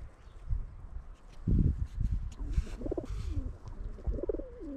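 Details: Flock of pigeons outdoors near a school on a frosty winter morning, eating bread: low, soft coos and throaty grumbles, several overlapping, with rustling wingbeats and shuffling.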